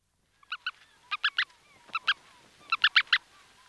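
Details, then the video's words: Brant goose goslings calling from inside their eggs, close up: short sharp peeping notes in clusters of two to four, repeated about every second, with faint movement sounds between them. "Brant Goose. CU Calls From Goslings Calling From Inside Eggs"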